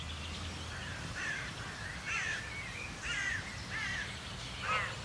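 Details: Crow family perched behind a noise barrier in the Vossmoor moorland of the Elbe Geest southeast of Hamburg, on a wet, cold, grey early-April day at breeding-season start: harsh, hoarse caws in short bursts about once a second over a steady low rumble.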